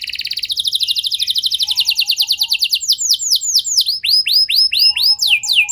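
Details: Canary song used as a lure to trigger other canaries into long singing: rapid trills of repeated high notes, shifting into a series of sweeping downward-curved whistles, with a soft low note in between.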